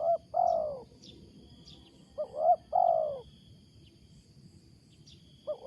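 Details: A wild spotted dove coos loudly and strangely: a short note followed by a long falling one, the pair repeated after a pause, with a thin insect drone in the background.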